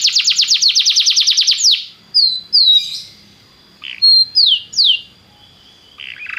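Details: Belgian canary song meant to warm up a canary: a fast trill of about twenty clipped notes, then scattered slurred whistles and short buzzy bursts separated by pauses.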